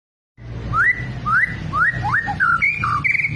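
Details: Fighter-type white-rumped shama with a long tail, singing actively: a run of clear whistled phrases, each sweeping upward, repeated about every half second, ending in higher level whistles, over a low background hum.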